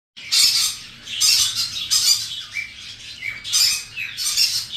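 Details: A breeding pair of lutino cockatiels gives harsh, screechy squawks in bursts, with shorter whistled notes between them.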